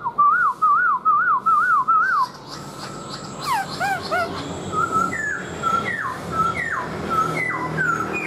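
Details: Caged black-throated laughingthrush giving its dancing song with a fanned tail: loud wavering whistles trilled up and down about five times, then a jumble of falling slurs and short rising whistled phrases.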